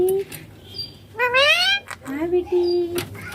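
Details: Green Indian ringneck parakeet that talks, 'papa' and 'mummy' per its keeper: a short low note, a bright rising harmonic word, then a wavering low syllable and a held steady tone, in a room.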